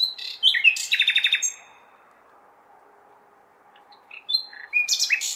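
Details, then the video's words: Common nightingale singing to attract females on a May night in a city: a phrase of rattling repeated notes, a three-second pause, then high whistles and a rapid burst, over steady background urban hum. "Śpiew słowika (nightingale)"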